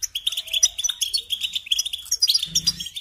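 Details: European goldfinch singing for songbird training: steady run of high twittered notes and buzzy chirps, a low hum entering near the end.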